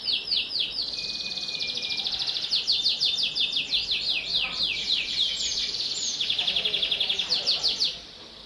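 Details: Domestic canary song used to prompt young canaries: a brief thin whistle, fast rolling trills, repeated descending sweeps and a bright buzzy trill before it stops abruptly.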